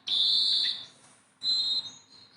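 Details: Tame Sunda bulbul, a tireless singer, gives two long, steady, clear whistles, each under a second, separated by a short pause.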